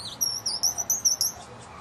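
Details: Hungry baby woodpecker being fed at a bird house on a front patio, where it returns every night. It gives a rapid run of thin, very high squeaky chirps, about seven in just over a second, over a low background hum.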